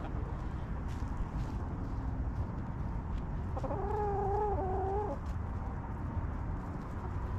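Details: A backyard hen resting in the coop gives one sustained, wavering, nasal call lasting about a second and a half, amid faint clucking and steady low background rumble.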